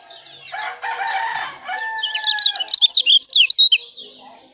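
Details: White-eye from Lombok, known locally as kecial lombok, recorded as master song for training songbirds; a rooster crows for the first half, then a rapid run of high, thin, twittering notes pours out over the last two seconds.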